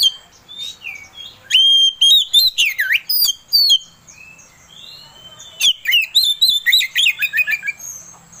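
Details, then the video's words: Kacer, the Oriental magpie-robin, singing to stir another bird's emotion: bright high whistles and swooping slurred notes in bursts, a quiet gap, then another fast series of sharp chirps. "Suara Pancingan Kacer Agar Cepat Emosi Gacor"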